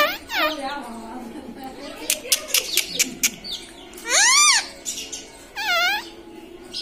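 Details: A pet parrot trained to say "mummy" and "papa" gives sharp clicks, then two drawn-out, arching, harmonic calls a second apart, each rising then falling, over low room noise.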